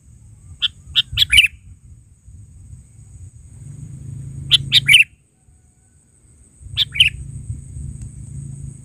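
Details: Gacor sooty-headed bulbul, natural calling voice: three bursts of short bright chirps, the first a run of four to five notes, spaced a few seconds apart with a steady low hum beneath.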